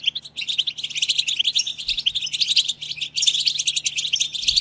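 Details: Group batbata of European goldfinches, used to excite goldfinches to sing: a continuous wall of fast, high-pitched tinkling twitters that swells near the end, with a soft steady hum beneath.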